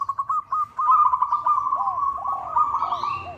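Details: Zebra dove of a local type calling to a rival, a sound used as a lure: a few clipped notes, then a long unbroken purring trill holding one mid pitch, with faint lower curved notes in the background.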